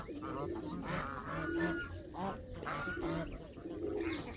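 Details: Canada geese honking in a noisy group, short nasal honks overlapping with lower grunting notes and a few clearer rising calls.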